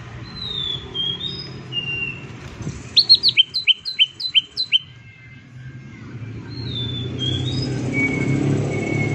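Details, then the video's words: Green leafbird in a provoking 'tembakan' (rapid-fire) song meant to rouse other leafbirds into singing. A burst of about seven sharp, repeated downward-sliding whistles follows scattered thin whistles, over steady low background rumble. "CUCAK IJO DIJAMIN NGAMUK DAN IKUT GACOR DENGAN PANCINGAN IJO INI/PANCINGAN TEMBAKAN CUCAK IJO"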